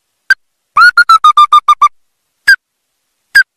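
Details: Ruddy-breasted crake call used for trapping: a single sharp note, a quick run of about eight clipped harmonic notes, then two more spaced single notes.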